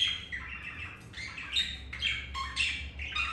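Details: Budgerigars mating indoors, male with a female after another female rejected him; continuous soft chattering warble with nasal chirps and squeaks, a low hum in the background.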